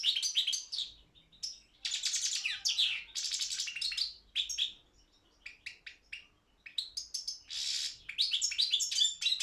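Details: Competition singing by a Balkan goldfinch, Carduelis carduelis balcanica, at a world song championship: bursts of bright, rapid twittering and buzzy phrases separated by short pauses.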